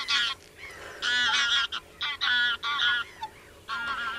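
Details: Common cranes giving loud trumpeting calls in bursts of about half a second, with rich stacked harmonics, several overlapping voices and short pauses between them.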